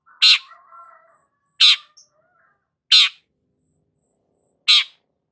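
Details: Long-tailed shrike (cendet) singing gacor: loud, harsh, grating squawks spaced over a second apart. A soft, low warbling is heard after the first note.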